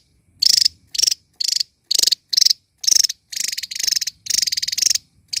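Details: Energetic small bird song given while dancing: repeated dry buzzy pulsed bursts, about two per second at first, lengthening into longer rattles toward the end.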